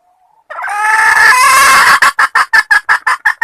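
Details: Female red junglefowl calling to the male: a long, harsh, drawn-out squawk of about one and a half seconds, then a quick run of short, clipped clucks, roughly three per second.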